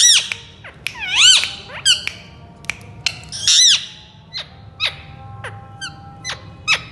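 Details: Pet Indian ringneck parakeets with loud harmonic squawks and downward-swooping screeches, followed by scattered short clicks and chirps in a quiet indoor setting.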